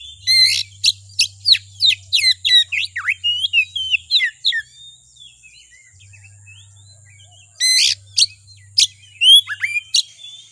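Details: Oriental magpie-robin singing, played as a provoking lure to stir another bird into song: a burst of quick, clear whistles and downward slurs, a quieter pause with soft twitters, then loud emphatic notes resume.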